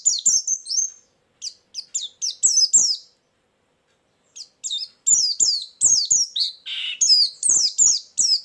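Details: White-eye trapping lure and filler song: quick bursts of high descending chirps, a silent gap, then a longer busy run with one lower rasping note.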